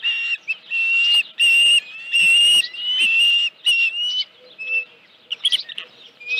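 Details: Osprey at a ranch nest, morning of 31 July 2018, headless fish delivery at 9:43 AM; a run of shrill whistled notes, each about half a second, repeated steadily and fading toward the end.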